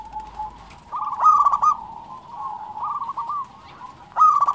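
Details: Singing local zebra dove: a loud run of rapid, beaded coos, then quieter trilled phrases, and a fresh loud burst starting at the end, over steady soft cooing.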